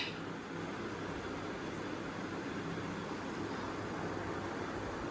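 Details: Steady fan or air-conditioning hum fills a small indoor room, with broad hiss and no clear voices or animal calls.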